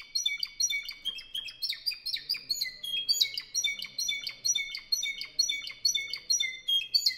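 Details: Spanish Timbrado canary, a 2015 bird of the Albacete Spanish song club, singing a loud, fast run of bright metallic notes, each phrase sliding down in quick steps, repeated rhythmically about twice a second with no other sounds.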